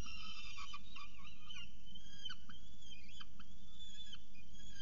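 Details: Peregrine falcons feeding at the nest in Orange, early morning 6.36 am, 21 October 2018; a run of quick harsh notes gives way to drawn-out whining calls and short sharp chips, with steady low hum beneath.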